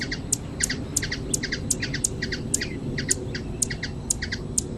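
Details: Hummingbird in Brazil giving a high, thin squeaky song: sharp chips repeated about every third of a second in a steady rhythm, some paired with lower notes, over a constant low rumbling hiss.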